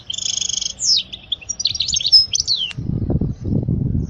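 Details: European goldfinch song for teaching young birds: a buzzy trilled phrase followed by varied liquid twitters and a descending note, then low thudding noise.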